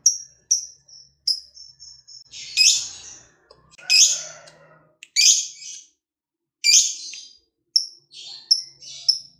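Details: Lovebird song used to prompt other lovebirds to sing: thin high chirps, then harsh grating screeches spaced about 1.3 seconds apart, and more short chirps at the end.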